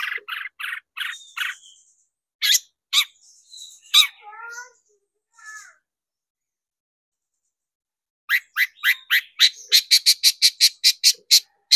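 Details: Long-tailed shrike song from a lure recording meant to excite shrikes into singing. Harsh chattering notes and a few rasping calls break off into a silence, then a rapid run of sharp clicking notes speeds up.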